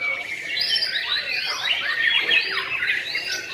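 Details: Caged white-rumped shama singing in the sujud style. Loud, continuous, rich warbling phrases of whistles, slurs and rapid trills sweeping up and down in a mid-high register, without pauses.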